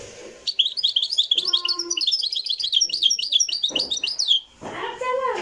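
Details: Moroccan goldfinch song in a live recording: four seconds of fast, jangling twitters and buzzy trills, a faint whistle-like tone underneath, ending with a thump and a short voice-like sound.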